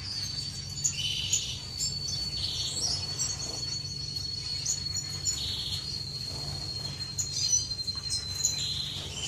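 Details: Aviary finches in courtship, recorded 10 May 2015: short buzzy bursts repeat about every two seconds under a steady thin high whistle, with scattered sharp chirps from several birds and a constant low hum.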